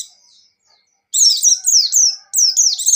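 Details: Pleci white-eye singing rapidly, a training recording: fast, high, slurred whistled notes tumbling together in two continuous bursts.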